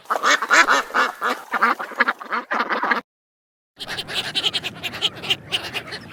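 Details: Ducks giving rapid series of loud, nasal quacks, about three to four per second, then a short silence followed by busier, overlapping quacking and rustling from several birds.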